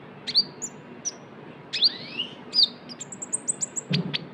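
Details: Brown-throated sunbird (kolibri ninja, konin) in trotol style, used as a lure sound for other birds: sharp, high chirps and short rising and falling whistles, ending in a rapid run of thin, high notes.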